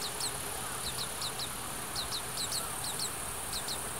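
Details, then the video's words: Recently fledged Oriental greenfinches beg their parents for food in Hiratsuka, Kanagawa Prefecture, Japan, during the breeding season. Thin, high, downslurred chirps come in close pairs about once a second, with a faint steady hiss and light wind in the background. "カワラヒワ 巣立ち雛が餌をおねだり"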